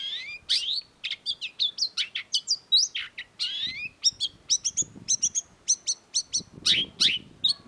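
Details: Long-tailed shrike singing a vigorous, varied song: rapid sharp chirps, rising and falling whistled sweeps and clipped notes delivered in quick bursts with few pauses, loud and clear against a quiet background.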